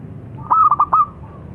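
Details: Single phrase from a local zebra dove: four quick, emphatic notes running into a short level whistle-like coo, over steady low background noise.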